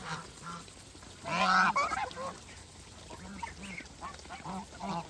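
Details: Feeding farm geese: one loud rasping honk burst stands out, then softer paired nasal honks repeat at intervals over a low background hum.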